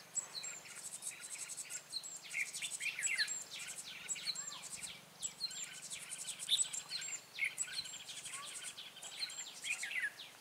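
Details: Lure red-whiskered bulbul singing during bird trapping, 14 March 2017: bright whistled notes and downslurred chirps repeated in lively clusters every second or two, with steady insect buzzing in the background.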